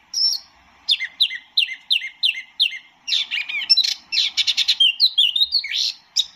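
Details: Song of a white-eye, locally called tieu mi or wambi mini: six clear downslurred whistled notes at an even pace, followed by a fast jumble of high chirps and twittering phrases.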